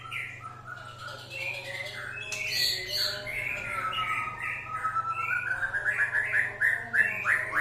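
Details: Provoking song of a white-rumped shama, meant to rouse other birds: scattered notes build into a fast run of short repeated whistles, about three per second, with a constant low hum underneath.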